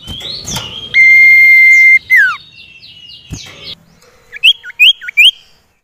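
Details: Common iora song used to prompt silent caged birds: a long flat whistle ending in a steep downward slur, some faint scratchy notes, then three quick rising whistles about half a second apart.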